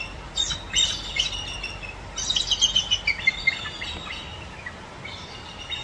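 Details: A real bald eagle at the Alaska Raptor Center gives thin, high chirping notes in quick bursts, then a run of piping twitters dropping slightly in pitch, with no harsh screech. The familiar Hollywood screech belongs to a red-tailed hawk.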